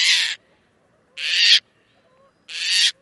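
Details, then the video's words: A Caspian tern in Wisconsin gives three loud, harsh, raspy calls, each about a third of a second long, spaced roughly a second apart, with nothing else heard. "Bird Sounds - Caspian Tern"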